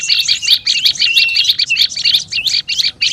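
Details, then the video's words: Agitated olive-backed tailorbird calling used as a lure: quick, bright chipping notes, about three a second, over a thin steady whistle that wavers up and down beneath them. "SUARA PIKAT BURUNG PRENJAK LUMUT RIBUT"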